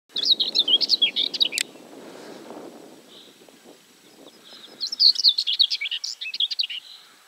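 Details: A common whitethroat at Julków on 3 June 2017 gives two brief, scratchy, chattering warbles, each under two seconds, high and hurried, over a low background rumble.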